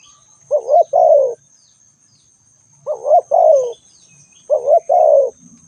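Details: Three evenly spaced coo phrases from a spotted dove, each a brief upswept note then a longer, mellow downward-sliding coo about two seconds apart. A thin steady high tone hums throughout.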